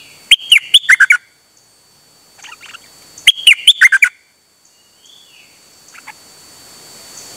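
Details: Dok Taeng bird singing on 8 September 2023: two quick bursts of clipped, whistled chirps, each about a second long and a few seconds apart, with faint scattered notes between them.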